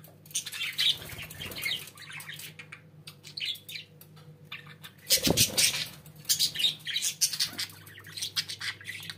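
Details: Pet budgerigars chattering indoors, a busy run of scratchy warbles and chirps, louder and denser in the second half, over a low mains-like hum.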